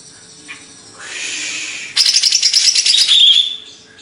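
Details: Greater green leafbird from Banyuwangi, Indonesia, kept as a songbird: a soft hiss, then a loud rush of dense, high chattering twitters and short whistles lasting about a second and a half.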